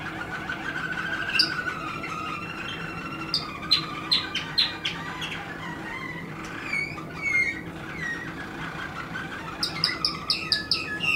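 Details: A 2016 recording of a Waterslager canary: loud clipped chirps repeated every half second, a stretch of warbled gurgling notes, then a final flurry of high chirps.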